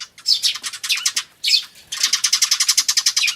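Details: Adult Eurasian tree sparrows with chicks, camcorder recording from 10 May 2013: loud, rapid buzzy chatter of quickly repeated notes in two long runs, broken by a brief pause, close and intense.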